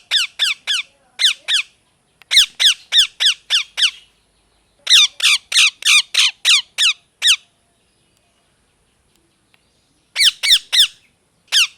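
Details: Molting pet parrot indoors giving rapid runs of harsh, descending squawks, about six to eight in each burst, separated by short silences; strong repeated scolding series.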